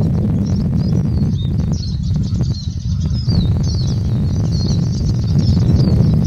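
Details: Eurasian siskin (Spinus spinus) in a continuous high twittering song of quick chattering and slurred notes, heard faintly under heavy low-pitched rumbling noise.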